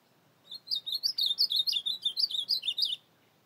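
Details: Night song of an Ultramarine grosbeak in the field, 25 August 2024: a clear, rapid string of some sixteen sweet, high warbled notes, each slurring up or down, spanning about two and a half seconds, then silence.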